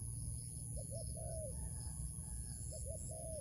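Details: Wild dove being drawn into a trap. It coos two brief rounded notes followed by a long, gently falling note, then starts the same pattern again, with rumbling background and a persistent shrill hum.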